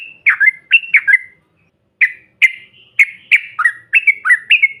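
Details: Yellow-vented bulbul chatter used to provoke other birds: a few bubbly notes, a pause, then a steady run of sharp, rising and falling chirps, loud and clear.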